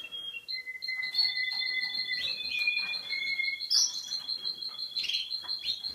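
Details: Russian canary from Boston, a yellow male ready for breeding, sings layered trills: a lower steady rolling trill beneath a higher fast pulsed one, with sweeping slurred notes and short chirps mixed in.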